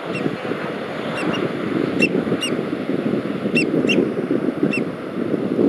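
American oystercatcher giving sharp, high piping whistles, single or in quick pairs about once a second, over a steady low roar of surf or wind.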